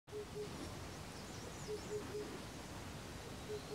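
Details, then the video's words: Male Common Cuckoo at Pelling, Sikkim, India, in May 2018, giving soft, low two-note cuckoo calls a few times, fairly faint, over steady rustling with faint high twittering from other birds. "Common Cuckoo (Male)"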